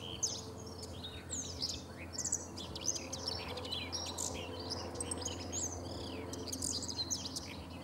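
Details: Common whitethroat singing on the Sava riverbank at Prečko, Zagreb, Croatia, 3 June 2017: a dense run of rapid, scratchy, chattering high notes through the whole stretch, over a low rumbling background.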